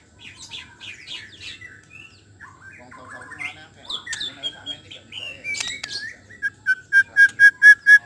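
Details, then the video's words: White-rumped shama song used as a lure to make a shama quickly sing its full repertoire: a varied run of chattering twitters and slurred whistles, ending in a loud series of evenly spaced, rich whistled notes about three per second. "SUARA INI DPT MEMANCING MURAI BATU CEPAT BONGKAR ISIAN"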